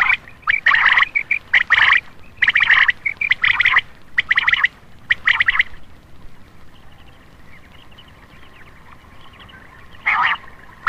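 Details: Night-time lure call of the common quail, meant to draw males: dense bursts of rapid, clipped notes for about six seconds, then a quiet stretch and one final burst.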